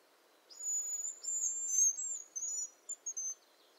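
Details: A Hazel grouse, one of Lithuania's birds, gives a very high, thin, drawn-out whistle, then a few quick clipped notes at the end; otherwise quiet.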